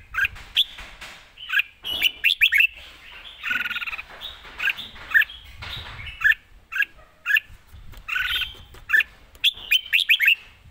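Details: Red-whiskered bulbul singing live, praised for quick, snappy delivery and good phrasing: loud whistled, warbling phrases bursting in rapid clusters, with a soft low background rumble and patter.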